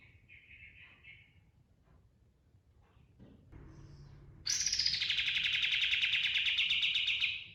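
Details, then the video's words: Pied triller rolling song: soft buzzy notes at first, then a loud rapid pulsed trill starting high and easing slightly lower, continuing steadily for three seconds. "Suara Burung Kapas Tembak Ngerol & Nembak Full Isian"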